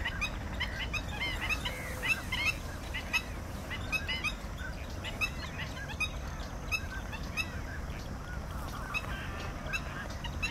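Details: Bar-headed geese giving many short honks and clipped notes in a busy, overlapping chorus throughout, with steady low background noise underneath.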